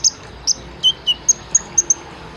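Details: Olive-backed sunbird, 'isian tembakan' master recording used to train caged birds: eight separate shrill, very high notes spaced about a third of a second apart, a couple dipping slightly lower, against faint hiss.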